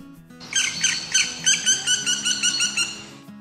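A Black Woodpecker gives a fast series of about ten ringing, slightly squealing 'kwee' notes, roughly four per second, over soft background music.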